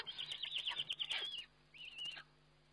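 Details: Eurasian eagle-owl during feeding on a webcam, 29 May 2011, making a rapid, high, pulsing chittering trill with sharp clicks, then a shorter wavering whistled note.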